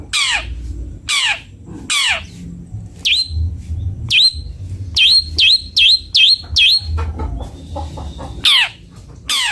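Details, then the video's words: Long-tailed shrike (cendet bondol) singing: harsh, falling rasps, then a quick run of six sharp, ringing high notes before the rasps return, over a low background hum. "Suara merdu burung cendet bondol"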